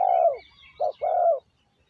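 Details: Decoy spotted dove luring wild doves: a long smooth descending coo, a brief gap, then a short note and another drawn-out coo.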